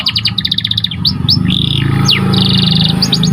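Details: Canary song used as a training recording to make canaries sing more vigorously: quick buzzy trill bursts and bright slurred whistles, with a sustained rolling note, over a steady low rumble in the background.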